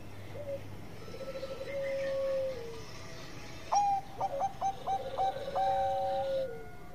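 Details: Zebra dove of Bangkok line, lure song meant to prompt other doves: soft faint lower cooing early, then clearer short rhythmic coos and a sustained tone, with background hum.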